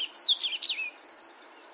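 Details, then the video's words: Sayaca tanager singing in nature: a short burst of high, squeaky, tumbling notes that slide downward, fading into quiet background after about a second. "SANHAÇO CINZENTO CANTANDO NA NATUREZA"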